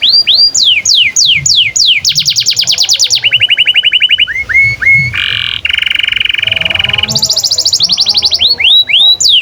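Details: Canary song used as a master recording for training young canaries and canaries that stopped singing: loud varied phrases of rising whistled notes, fast metallic trills and rapid buzzy rattles, repeated notes about three per second.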